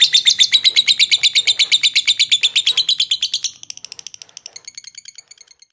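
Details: Lovebird from Jogja, Indonesia, a contest bird, giving its long 'ngekek' trill: strong rapid high chattering notes for about three seconds, then continuing more softly and thinly at the same fast pace.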